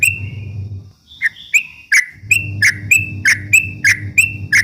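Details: Rapid ropel singing by a yellow-vented bulbul, meant as a lure to rile rivals: a long whistle, then a fast even series of clipped chirps roughly every third of a second, with a low hum behind.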